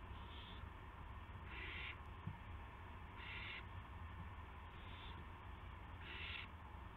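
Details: Evening owl on a live camera, March 18, 2016, bringing a gopher: five harsh, breathy screeches of about half a second each, spaced roughly every one and a half seconds, some fainter, over a constant low rumble.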